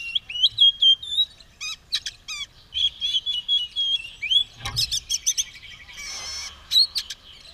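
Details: White-rumped shama, described as ready to fight with tail spread and in full song: varied whistled phrases and sharp chirps near the top of the range, short notes in quick bursts, some clicky broadband notes.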